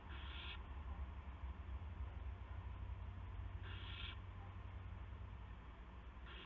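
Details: 2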